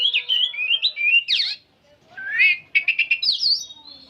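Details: Old oriental magpie-robin singing nonstop in a chattering 'nyerecet' style: loud clear whistled phrases, sliding up and down, a steep swooping note, then a quick run of five or six rapid repeated notes ending in a rising whistle.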